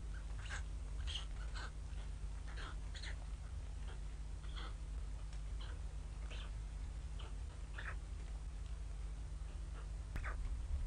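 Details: Begging White stork chicks in Ustroń during mid-May 2019, mother missing since 6 am, father present, weather poor; a long series of short high falling cheeps, some clustered, others spaced, over continuous low-pitched rumble.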